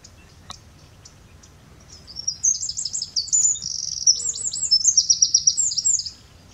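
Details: After the end of the breeding season, a Eurasian Wren still sings powerfully, a loud, rapid, high-pitched song of sharp trills and tinkling notes lasting about four seconds, over a faint low background hum.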